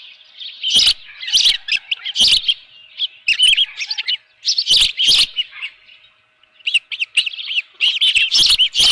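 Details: Morning of 24 June 2018, an Osprey at the nest with a live fish utters piercing chirps; scattered loud bursts with quieter whistled notes between, a brief silence, then a fresh burst of rapid cheeps.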